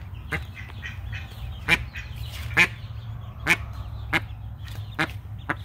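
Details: Captive mallard hen protecting her newly hatched ducklings, twelve hatched so far; short harsh quacks repeated irregularly, about one each second, over a steady low hum.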